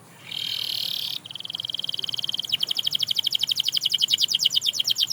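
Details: Canary singing to inspire other canaries to sing again: a steady buzzy high note, a second flatter tone, then a fast rhythmic trill of repeated notes that grows louder.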